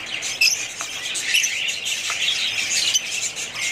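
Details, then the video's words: Several budgerigars give quick high chirps and squeaky whistles over a constant scratchy warble, about one louder note per second. "budgies parrots"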